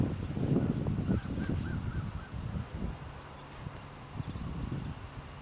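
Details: Hen with her chicks being harassed by a rooster while she shows them how to drink; low throaty clucks and grunts with a few short rising chick peeps, over a steady low hum.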